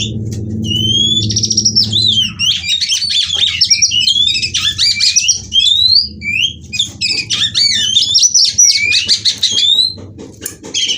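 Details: White-rumped shama female song meant to trigger singing: long flowing phrases of fast whistles, chirps and trills over a continuous low hum, strongest at the start.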